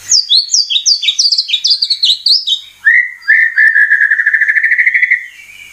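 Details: Murai batu (white-rumped shama) lure song, played to make birds sing and unload their repertoire: rapid series of high downward-slurred notes, then a long trilled mid-pitched rattle lasting over two seconds.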